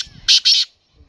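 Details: Black francolin giving two loud, harsh, high-pitched notes in quick succession, each lasting about a quarter second, followed by near silence.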